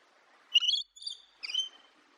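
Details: Parrot chirping: three quick, bright harmonic chirps about half a second apart, the first bending upward, the second flatter and thinner, the last slightly falling, over a faint low hiss.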